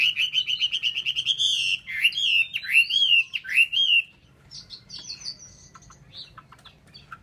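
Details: Chinese hwamei kept in a cage in Vietnam opens with a fast run of repeated notes, then loud looping whistled phrases, fading into softer scattered chirps; faint background hum.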